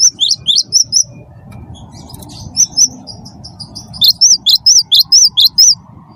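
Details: Cinereous tit of the wingko type, singing persistently, used as a lure to provoke other birds into song: bright, high, upslurred whistled notes in quick bursts of four to seven, with a low hum behind.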